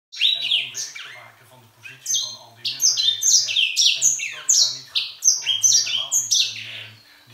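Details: Grey singing finch kept indoors, a bird that sings all day long, pouring out a fast run of bright, high whistled notes, each sliding downward, in two rapid bursts over a low steady indoor hum.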